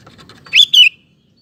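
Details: Sooty-headed bulbul song played to prompt other males to sing: a brief two-note whistled phrase, rising then falling, preceded by soft rustling ticks.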